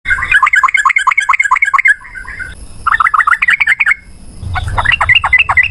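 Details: A yellow-vented bulbul delivers fast rolling bursts of bubbly, up-and-down chirps. Three breathless runs are separated by short pauses, and a faint rumble sits underneath.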